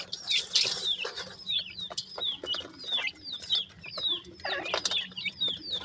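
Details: A group of francolin chicks in Pakistan cheeps in quick high-pitched downward-curving notes, some louder bursts near the start, over a constant low hum and soft scuffling.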